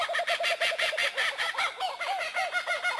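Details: Kookaburra call that resembles human laughter, beginning with a regular string of short hooting 'ko' notes, then breaking into looser, rising and falling chuckles.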